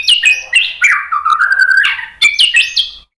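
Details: White-rumped shama song meant to provoke other shamas into singing: loud, fluty, varied whistles and warbles, with a sustained lower phrase in the middle and bright rising notes near the end.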